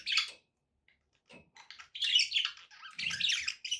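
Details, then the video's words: Captive budgies: a loud chirp, a short quiet spell, then dense overlapping scratchy warbling and squeaky chirps building toward the end. "relaxing budgie sounds"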